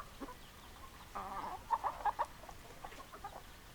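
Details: Chickens clucking: a brief harsh call, then four quick sharp clucks in a row, with softer clucks after.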